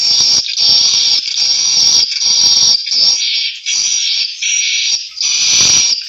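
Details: White-nest swiftlet chirping: rapid, shrill, buzzing twitters grouped into pulses under a second long, around eighty per minute, with short quiet breaks between bursts.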